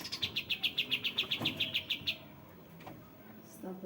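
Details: Sooty-headed bulbul: a fast series of about fifteen bright, evenly spaced chirps repeated at a steady rhythm for two seconds, then a couple of faint lower notes and quiet background.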